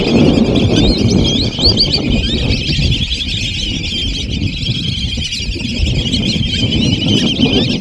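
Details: Large flock of Black-bellied Whistling Ducks recorded up close, very loud. Thin, high whistled calls overlap constantly above a dense, rumbling wash of low noise from many birds, with no pause in the din.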